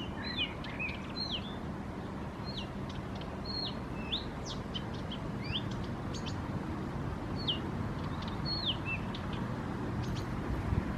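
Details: An unseen bird singing in Helsinki, Finland: short sharp chirps and upslurred whistled notes, scattered irregularly, over a steady low rumble of background noise.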